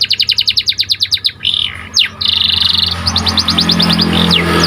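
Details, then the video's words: Panda canary, a white cage bird, singing: a quick series of repeated chirps, a buzzy rolled phrase and sweeping notes, partly masked by a rising broadband background rumble. "Kicauan Burung Kenari Panda Gacor Di Satu Titik"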